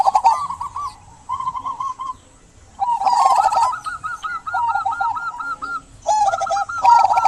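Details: Local zebra dove singing energetically, used as a prompt to get quiet doves to sing. Rapid bursts of rolling staccato coos overlap in places, suggesting several birds. The bursts are broken by short pauses and sharp clattering noises.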